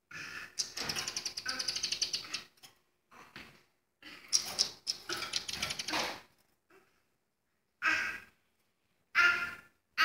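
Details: Speckled mousebirds, a female meeting her new mate for the first time, give harsh, buzzy chattering bursts in several short runs separated by pauses, with faint knocks and shuffling of an indoor room.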